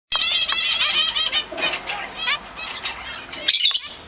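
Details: As a zebra finch chick nearly hatches and then holds back, zebra finches give quick, high, nasal chirps in rapid bursts.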